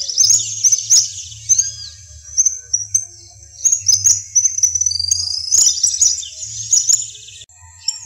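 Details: Western yellow wagtail in the savannas of Corozal, Sucre, Colombia, where it is called "corre caminos". A steady stream of shrill, high chirps overlaps throughout, with brief pauses and a drawn-out slurred whistle about halfway through.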